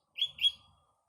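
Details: Sooty-headed bulbul in the morning in green surroundings, giving two loud, bright chirped notes, the second slightly longer and fading, with a faint low hum beneath.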